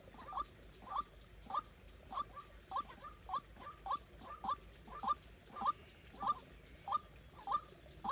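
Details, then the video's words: White-breasted waterhen used as a decoy bird for trapping, calling in a steady series of short, clipped notes repeated roughly every half second, with faint background noise. "Dợt chim cuốc mồi"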